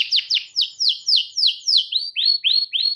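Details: Tutor song of a domestic canary for young birds learning to sing: clear high notes sweeping steeply downward, about four per second, changing partway into shorter arched notes, with no other sounds.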